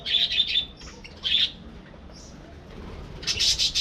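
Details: Aviary budgerigars from a breeding colony give quick clusters of high, clear, squeaky chirps, then a brief lull before another bright burst of chirping at the end.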